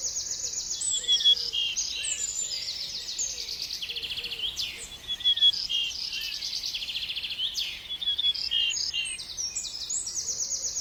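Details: Bird singing a high, buzzy, jangling song of rapid chirps and trills. The phrases repeat in overlapping runs across the clip, and a few soft low chips sound underneath against steady faint background noise.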